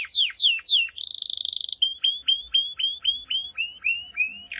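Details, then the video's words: Canary singing in a varied sequence: three quick falling whistled sweeps, a buzzy rattling trill, then a steady series of about ten sharp downslurred notes repeated briskly. "The most Unique and Beautiful Canary Singing"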